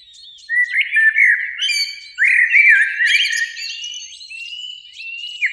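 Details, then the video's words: Eurasian blackbird song, spring evening, beech tree beside a lake with two birds singing: two rich warbled phrases of sliding flute-like notes topped with scratchy high twitters, followed by a quiet trailing thin whistle. "Relaxing Birdsong"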